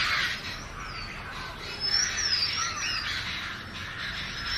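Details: Wavering high whistles from an Oriental magpie-robin, rising and falling in a rolling phrase, over noisy chattering birds.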